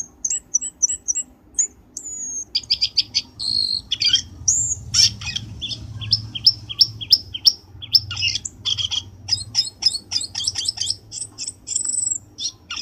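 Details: Black-winged starling lure call for bird trapping: dense bursts of sharp, high chirps and clicks in rapid runs with short pauses. A soft low rumble sits underneath.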